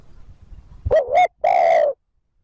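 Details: One clear spotted dove coo phrase from a wild-bird lure: a quick undulating double note then a steady, hoarse, drawn-out hoot, loud against a quiet background.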